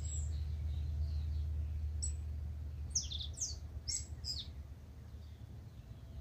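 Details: Early-morning tūī in Manawatu, New Zealand, before sunrise: a quick cluster of four or five high, sliding whistled notes midway, with fainter notes earlier, all above a constant low hum.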